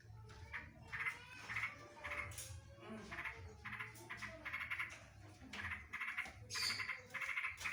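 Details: Yellow-vented bulbul delivering a full set of green leafbird 'tembakan drodot' phrases: rapid bursts of harmonic chattering notes in short repeated groups, with brief sharp high accents between them.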